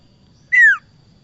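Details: Single loud whistled note from a bar-winged prinia, used as a trapping lure, gliding smoothly downward and lasting about a quarter second, with quiet surroundings.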